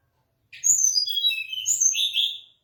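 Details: A mangrove blue flycatcher sings one high, bright phrase of whistled notes falling in steps, followed by a rising swirl and a buzzy, slightly lower finish; a soft tap is heard early.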